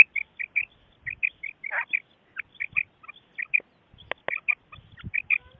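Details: Common quail calling for a hunting recording: bright short notes in quick pairs and triplets, repeated steadily through the clip, with faint low thumps beneath.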